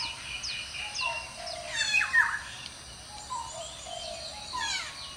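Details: Male red-breasted parakeet at Walailak University on 18 February 2015: harsh, rasping squawks with sharply descending notes, with quieter overlapping calls of other birds and light outdoor background noise.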